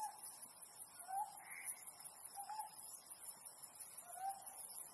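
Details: Ryukyu scops owl (Otus elegans) at night under the mid-autumn harvest moon gives short, low, slightly slurred hoots about every one and a half seconds, over a steady high hiss of night insects.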